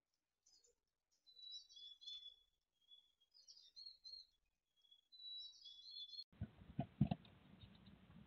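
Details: Six mountain chickadee nestlings, Truckee, late June 2020, in their last moments before fledging: a run of soft, high, thin buzzy notes and short warbling trills in loose bursts, ended abruptly by loud rustling and scraping.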